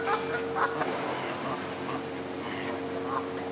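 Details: Canada geese on the South Pond in Midhurst, West Sussex, England give short, nasal honks about twice a second, some overlapping, over a steady background hiss and a low hum.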